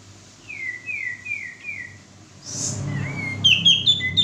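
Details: Male sooty-headed bulbul lure recording: a quieter series of four falling whistled slurs at an even pace, then a hiss and a brighter burst of stepped whistles at the end over faint background hum.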